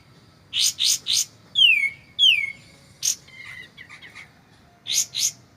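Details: White-shouldered triller (kapas tembak) in a clear recording with pauses: three quick high bursts, two loud downward-sliding whistles, a lone high chip and soft warbled notes, then three more high bursts.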